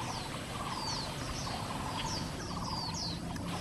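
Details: Oriental magpie-robin, an exotic species in Taiwan, on a creek bank at Si Beast Mountain, Xinyi District, Taipei, July 18, 2024, recorded on a Canon SX740 HS camera: thin high whistles sliding downward, repeated irregularly over loud rushing stream noise with lower pulsed trilling.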